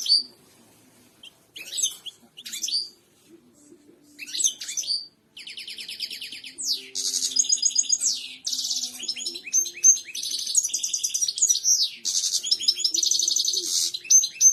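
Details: Strong European goldfinch song for birds to copy: scattered high chirps at first, then a long rapid run of buzzy trills, slurred whistles and twitters that continues almost without a break.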